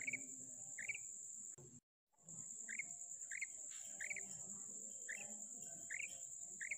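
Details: Female quail calling, recorded 19 February 2024: short, rising two-part notes repeated about every half second in a steady series, over a constant high-pitched whine, with a brief dropout of all sound near the start.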